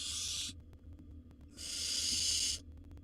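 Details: Wild barn owl nestling in a monitored nest box, eating a bird after its sibling tried to steal it; two harsh, breathy hissing screeches, the first short, the second longer and louder, over a low background hum.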